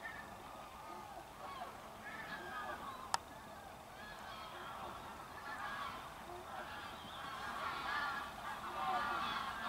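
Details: A flock of Bewick's swans at Loch Spynie, Moray, Scotland, keeps up a soft, constant babble of yelping, bugling calls that overlap in a busy chorus throughout.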